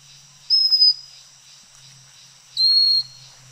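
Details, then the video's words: Pygmy Cupwing, also called Pygmy Wren-babbler, calling on Fraser's Hill, Malaysia. Two thin, high, level whistles come about two seconds apart, the second slightly lower than the first. A faint low hum runs underneath. "Pygmy Cupwing Calling"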